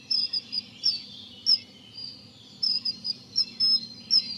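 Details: Common kingfisher (Alcedo atthis) at the Dřevnice river on 19 April 2019 giving shrill, piercing high whistles in short bursts, some doubled, a few each second, over a faint low background rumble.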